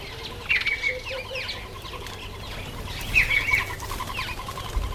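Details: Masked weaver during the September–October breeding season, in breeding plumage: buzzy, swizzling chatter of quick rising and falling notes, with a clear level whistle twice and a soft rapid pulsed series underneath.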